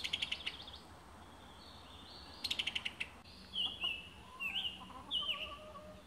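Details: Summer tanager in Alabama giving sharp ticking bursts. These are followed by several separate, slurred whistled notes that rise and fall in pitch.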